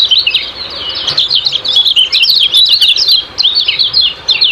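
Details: Kecial kuning (lemon-bellied white-eye) ciak-ciak lure song for caged birds: a continuous stream of fast, high, squeaky chirps and slurred downward notes with no pauses.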